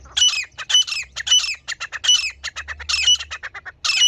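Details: Continuous scratchy, rasping call of a female grey francolin (teetar) used as a hunting lure, with loud harsh phrases repeating almost without pause throughout.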